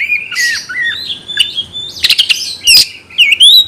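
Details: Oriental magpie-robin (kacer), a caged songbird in full song, used to provoke a fighting response: varied whistled phrases, sliding and curling notes mixed with sharp clicks and scratchy bursts, several loud shrill notes near the end.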